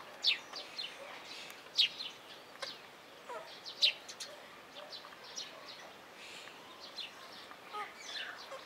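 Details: Rose-ringed parakeet, blue mutation, at Opole Zoo: sharp, shrill high notes at uneven intervals, about every two seconds, over a steady bed of softer chirps from other birds.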